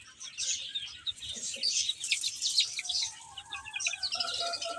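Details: Baby chickens at play and feeding, giving a busy wash of shrill peeps; toward the end a few slightly lower, clearer chirps stand out from the chorus.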